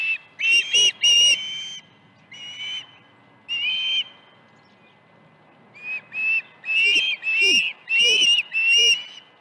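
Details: On a ranch nest in the morning of 21 August 2019, with two fish delivered, an osprey gives clusters of sharp, high whistled chirps, three or four close together, then spaced single notes, then a rapid run again.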